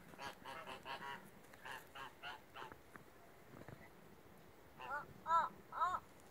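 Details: Geese honking in short nasal bursts, a run of several quick calls early on, a pause, then three louder, clearer honks near the end, with faint background noise.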